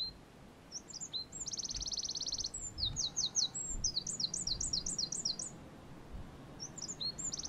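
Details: Eurasian wren (Troglodytes troglodytes) pours out a loud, high, rapid song of sharp notes, a fast dry trill, then quick repeated chirping phrases, over a low rumble of background noise.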